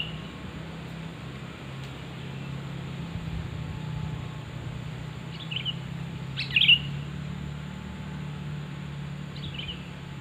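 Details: Sooty-headed bulbul call for luring: several scattered short chirps and one louder slurred bubbly phrase midway, over a persistent low humming drone.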